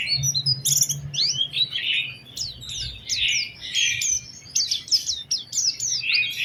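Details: Oriental white-eye lure song for prompting other white-eyes to sing, lively with special phrasing: continuous busy chatter mixing buzzy lower notes and sharp, high upward sweeps over a faint hum.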